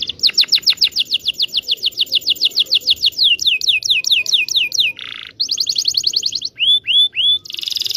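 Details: Canary with a long rolling song, used to prompt young canaries to learn to sing. It gives fast trills of repeated downslurred whistles, buzzy rattles, drawn-out rolls and a few swooping notes, with faint low background noise.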